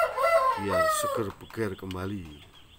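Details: Japanese Shamo chicken calling loudly: a long drawn, slightly falling harmonic note followed by a run of short, pulsed, nasal syllables that fade away, close to the recorder.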